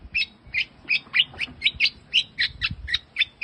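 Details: Rare creamino mutant long-tailed shrike in full song: rapid, scratchy chattering notes repeated about three times a second, steady and insistent, set against a faint low background rumble.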